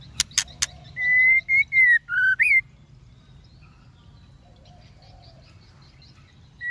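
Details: Female white-rumped shama singing to stimulate males: three sharp loud clicks, then a pause and a run of clear whistled notes, a long level whistle, shorter level notes, a lower dipping note and a rising upslur, followed by quiet background.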